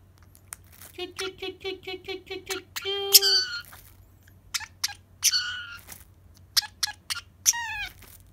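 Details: Pacific parrotlet excited by plastic cling wrap, whose rustling sound it loves, gives a quick run of nasal, buzzy chirps, then a louder harsh squawk and scattered sharp chirps, over a faint low hum.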